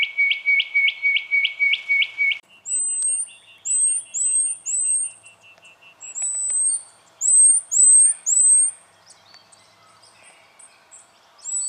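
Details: In Victoria, Australia, January 2012, a spotted quail-thrush gives a fast string of short, high piping notes, followed by softer ticking and a separate series of very high, downslurred whistles.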